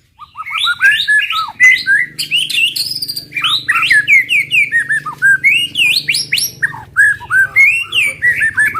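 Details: White-rumped shama singing a 'tembakan' pattern used to provoke other birds: varied loud whistled phrases, rising and falling sweeps and slurred notes delivered in quick succession with short gaps, rich and melodic.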